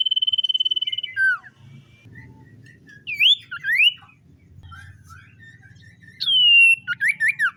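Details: Morning song of a common iora: a long steady high note opens, followed by falling slurs, scattered soft whistles and a loud descending whistle with rapid notes at the end.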